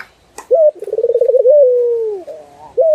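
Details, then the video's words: Turtle dove song in a master recording for training other birds. A click, then a short rising note, then a fast bubbling roll of about ten beats that eases into a long, smooth, slowly falling coo, closed by another brief upward note. "Masteran Burung puter"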